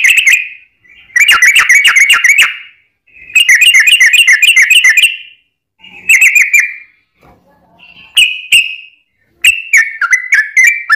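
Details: Yellow-vented bulbul singing a long song used to provoke other bulbuls into singing: loud bursts of rapid bubbling whistled notes around mid-high pitch, in phrases separated by short pauses, ending with scattered downslurred notes.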